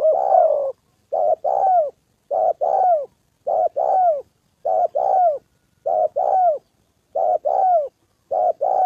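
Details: Spotted dove decoy calling in Gia Lai, Vietnam, during the 2 September holiday with a wild male and a female present: eight regular phrases, roughly one a second, each a short coo then an arched falling coo.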